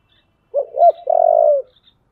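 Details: Fight-provoking call of a Spotted dove, thổ voice style. Two quick swelling notes lead into a sustained, vibrating low coo lasting about half a second. Faint high chirps sound in the background.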